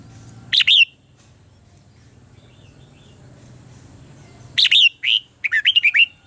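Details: Red-whiskered bulbul in competition-style song used to train other birds: one quick bright phrase early, then after a pause a clustered run of rising and falling whistled notes near the end, with a low steady hum underneath.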